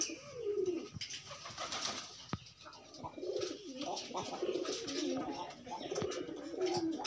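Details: Loose pigeons forming pairs. Descending rolling coos come in short bursts, split by a sharp knock and light scuffling and wing noise.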